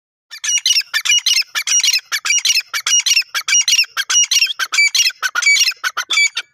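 A grey francolin gives a loud run of harsh, grating, high-pitched notes, repeated rapidly with almost no pause, and no other sounds are heard.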